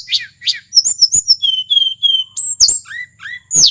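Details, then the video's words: Wild male mountain shortwing from Merapi in full song, used to provoke other birds; two buzzy notes, a run of evenly spaced thin falling whistles, then sharp upslurs and a high squeaky close. "Suara asli tledekan gunung merapi FULL GACOR"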